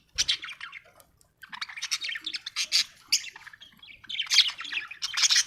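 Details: Happy budgie singing a long, almost continuous scratchy warble of raspy chirps and squeaks, growing louder toward the end.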